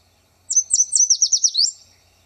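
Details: Yellow Warbler singing from shrubs in a wetland gives its fast, sweet song: about ten high, clear notes in just over a second, ending with a quick up-slur; otherwise quiet.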